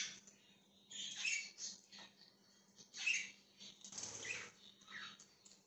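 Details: Budgerigar chirping, January 20, 2023: quiet chattering warble of scratchy notes, with a brief muffled flutter of wings midway and a steady hum throughout.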